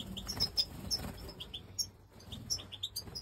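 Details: Major European goldfinch, pied with a white head, giving short bright chirps and twittered notes high in pitch, spaced irregularly, over a low rumbling and clattering background.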